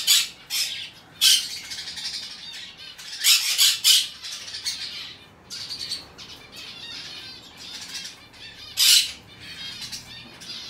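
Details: Aqua pallid Monk Parakeet chick, hand-tame, 22 May 2022, calling in bursts of coarse, broadband squawks, some doubled, separated by quieter grating notes over about ten seconds.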